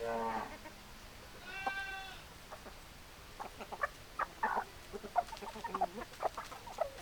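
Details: Hens and roosters heard together: a harmonic drawn-out call near the start and another around two seconds, followed by rapid irregular clucks and short notes.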